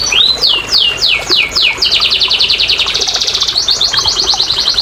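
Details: Canary singing to spur silent canaries: slow repeated downward-sweeping whistles about three per second, then a fast rattling trill and clipped rapid notes.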